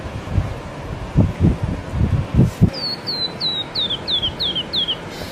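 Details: Small wild bird: a series of seven high, thin, downslurred whistles at an even pace, following low thumping and rumbling noise in the opening seconds.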